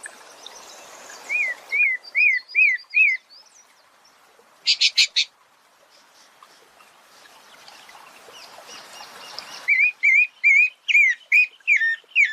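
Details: Pale-breasted thrush, said to be a great complainer, at a country smallholding: series of clear twisting whistled notes at a steady pace, a short burst of harsh rapid sounds in between, then more whistled notes alongside fainter high twittering.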